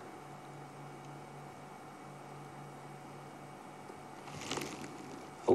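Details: Quiet electrical hum runs under faint background hiss until a burst of rustling and a closing thump near the end, with no animal voice.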